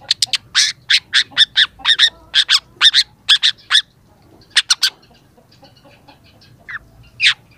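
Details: Young long-tailed shrike in full song, played as a lure for reluctant shrikes: rapid harsh, broadband chattering notes for four seconds, a pause, then scattered single rasping notes.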